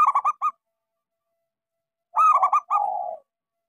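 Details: Zebra dove, a local bird kept as a singing lure for silent doves, gives a rapid string of clear stuttered coos, a pause, then another fast coo burst ending in a long, lower, rolling purr.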